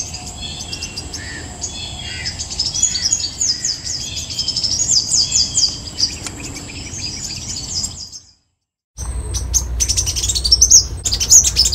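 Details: Copper-throated sunbird singing a long run of high, rapid metallic twitters and sharp chips, about 98 notes a minute, broken by a short silent gap before more high ticking notes, with low background rumble.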